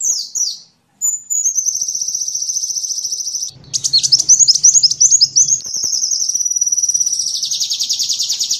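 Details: Sunbird singing for songbird training: a sustained rapid high trill, then an excited twittering passage over a low hum, returning to a long even trill.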